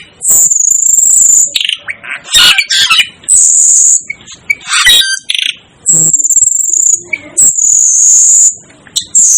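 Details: Sustained piercing high whistles from the Asian glossy starling, known as the 'devil' bird, broken up by scratchy buzzes, sharp chips and rapid squeaky chatter.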